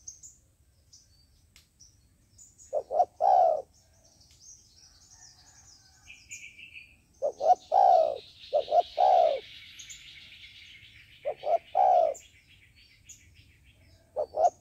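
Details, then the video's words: Decoy dove kept for trapping wild doves, cooing to lure others in: three separate bursts of low, hollow, rounded coos spaced several seconds apart, with faint high chirping from other small birds and a soft buzzy insect-like hiss in the background. "Tiến cu mồi gáy chuẩn, gọi là đếnh"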